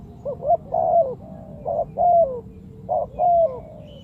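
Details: Lure call of a spotted dove for bird trapping: clear, loud phrases of a short coo followed by a long drawn, slightly falling coo, three phrases in quick succession.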